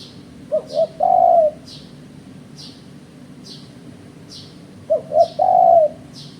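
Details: Spotted dove used by bird trappers as a lure, giving its phrase twice: two brief coos, then a drawn-out, level, mellow note. Each phrase comes about four seconds apart, with a regular, faint high chirping repeated throughout.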